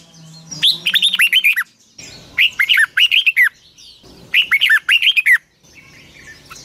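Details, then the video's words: Captive red-whiskered bulbul giving long double-voiced twisting morning song meant as a lure for training birds: three rapid warbling phrases of slurred whistles, each about a second, with a faint hum between. "Luyện chào mào hót sáng 2020, Giọng kép xoắn dài Quá hay"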